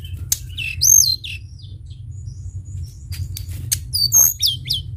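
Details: Sunda bush warbler in full song for luring other birds: a loud arched high whistle with sharp clicks around it, a gap of scattered faint ticks, then another bright arched whistled phrase, over continuous low hum.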